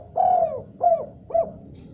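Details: Spotted dove calling back after hearing another call: three hollow coos, the first long and sustained, the next two shorter and clipped, against a low background hum.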